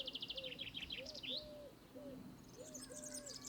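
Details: European serin giving its long, light, high-pitched twitter of quick repeated notes for over a second, then fading. A lower, arched, cooing note repeats about every half second underneath, with other high chirps at the end.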